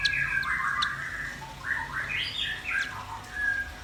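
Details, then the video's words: Singing of red-billed nuthatch and white-rumped shama: varied melodious whistles rising and falling, with swooping slurred phrases and short pauses. "Suara kicau burung rambatan paruh merah dan murai batu gacor"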